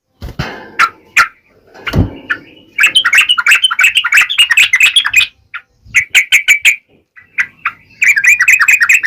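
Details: Lively yellow-vented bulbul in sharp wild-style song, played to draw answers from other bulbuls. Opens with clicks and a low thud, then rapid chattering phrases of quick warbled notes in several bursts, ending with bright repeated chirps.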